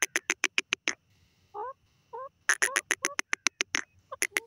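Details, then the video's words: Grey francolin calling in the wild: a rapid series of loud, sharp, clicking notes, briefly interrupted by soft, low, wavering, two-toned notes, then another fast burst of harsh repeated notes. "gorgeous grey francolin bird with his natural awaz"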